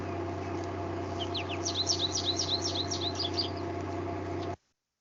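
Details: American goldfinch recorded by acoustic monitoring at a solar energy facility and confirmed by BirdNET: a quick run of about a dozen high, thin chip notes over two seconds, against a steady low mechanical hum.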